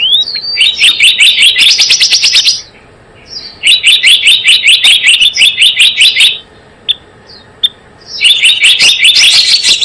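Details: Java sparrow lure for trapping: three long trains of rapid, regular high chirps with clear pauses between, plus a couple of isolated short notes.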